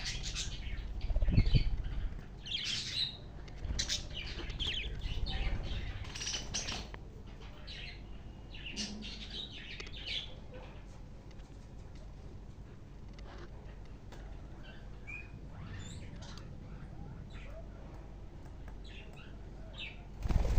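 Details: Baby budgerigars chirp and chatter in quick, scratchy bursts, with wing flutters and low room rumble.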